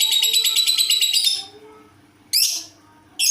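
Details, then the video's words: Lovebird with an unusual voice: a burst of rapid, harsh pulsed chatter for over a second, then two short sharp squawks after a pause. Soft lower sliding tones sit in the background indoors. "Lovebird dengan suara aneh"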